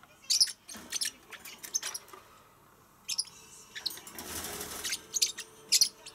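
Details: Pacific parrotlets (Forpus coelestis) give sharp, high, clipped chirps in scattered bursts, some of them doubled, with soft rustling and wing-flutter noise between them.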